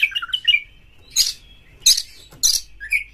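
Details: Oriental magpie-robin giving a lure song to prompt other magpie-robins into full song, with rough material: quick twittering whistles open, followed by three harsh scratchy bursts spaced roughly half a second apart and a closing upward whistle.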